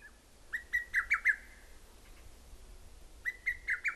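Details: A Lesser Cuckoo in Korea, a shy summer visitor that hides in the forest, gives two bursts of five or six loud, quick, whistled notes stepping upward, separated by a short pause, over a quiet background.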